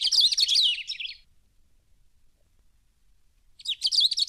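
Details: Cerrado birds of Brazil singing: a dense burst of high chirps and trills lasting about a second, a pause of over two seconds, then another rapid chirping phrase.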